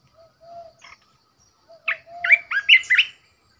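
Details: Red-whiskered bulbul decoy bird: soft low whistles lead into a quick run of five or six bright, looping whistled notes rising and falling.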